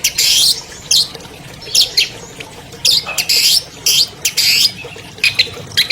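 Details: Albino long-tailed shrike, a 2020 champion, giving loud harsh screeching bursts between high chirps, each burst lasting under a second, in a master song used to prompt silent shrikes to sing.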